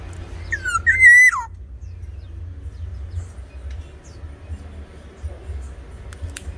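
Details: Single rich fluty phrase from a tame, actively singing Sumbawa Black-naped Oriole: a slurred rising note into a steady whistle that drops sharply at the end, followed by quiet with distant faint chirps and low background hum.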